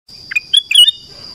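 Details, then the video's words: Black-crested bulbul recorded in the morning, a short bright phrase of rapid whistled notes sliding up and down, over a steady high electronic tone. "Suara kutilang emas pagi hari cocok untuk pancingan kutilang emas bahan"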